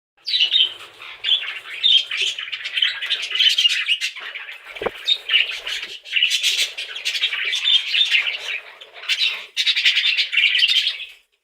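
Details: Budgerigars chirping: a steady run of high warbled chatter, squeaky chirps and short squawks in bursts, with brief quiet gaps and a soft thump near the middle.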